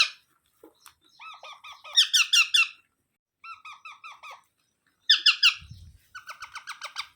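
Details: Baby parrot uttering runs of quick, buzzy, repeated notes in several bursts, some louder and higher, with short silences between the series and a faint low thump.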